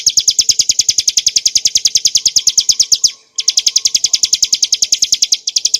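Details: Ngebren-style song of a bar-winged prinia (Prinia familiaris montana) for tutoring cage birds: rapid high chirps in steady series, broken by a short pause midway, then resuming.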